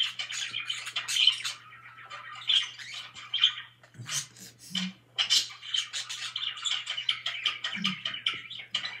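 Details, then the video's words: Budgerigars kept as pets, singing and playing, pour out a continuous chattering warble of rapid, raspy chirps and clicks, pausing briefly before resuming the dense twittering, over a low constant hum. "PARAKEETS SINGING AND PLAYING"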